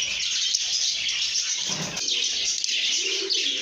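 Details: Happy lovebirds chirping and singing together: a steady wall of shrill twittering from many birds, with a faint low cooing murmur toward the end.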